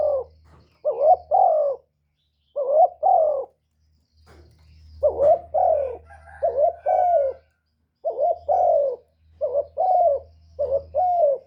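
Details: Spotted dove repeatedly cooing to lure wild doves: a long run of paired coos, rising burred notes each answered by a drawn-out falling hoot, sometimes run together, over a faint low hum.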